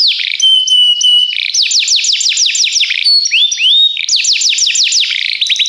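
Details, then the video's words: Belgian canary song used in training: a level whistle, series of down-slurred looping notes, rising sweeps, and more rapid repeated slurs, all high and clear. "o melhor som canário !! treinamento canário belga cantando"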